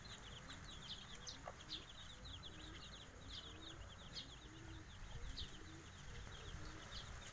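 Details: Brood of five-day-old Javanese kampung chicks cheeping steadily, high short downslurred notes repeated many times a second by overlapping birds, a few louder peeps standing out, over a soft low drone.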